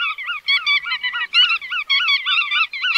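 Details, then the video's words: Bar-tailed godwits calling, a dense run of nasal, harmonic, wavering notes given in quick overlapping bursts, several birds apparently chattering together with hardly a pause. "Tiếng Chim Choắt Đuôi Vằn"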